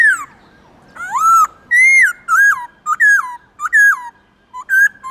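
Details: Varied whistled song of a black-throated laughingthrush, for urging captive birds to sing: a rising and falling swoop, a long warbled note, then several short dipping whistles spaced about half a second apart.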